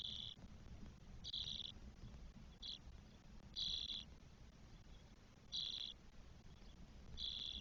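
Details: Nest of four spotless starling young at twelve days, Spain, 1 June 2022: scratchy, hissing bursts at uneven spacing, one very short, against a low steady rumble.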